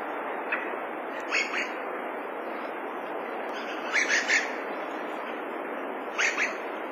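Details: Dusky thrush in winter: short sharp chattering calls given singly and in clusters of two or three, spaced a couple of seconds apart, over steady broadband background hiss.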